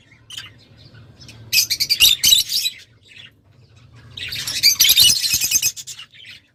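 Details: Two long bouts of noisy, high-pitched lovebird chattering, rapid scratchy squeaks packed tightly together, separated by a quiet pause of over a second.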